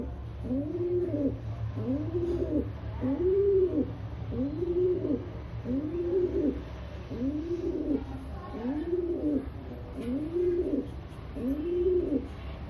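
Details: Rock pigeon from India, cooing: a steady series of soft, low, arched coos repeated about every one and a half seconds, with a constant low hum in the background.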